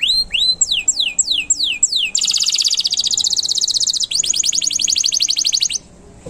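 A canary sings a bright, high song: about seven rising whistled slurs, then long rapid buzzy trills in two bursts, fast and rolling.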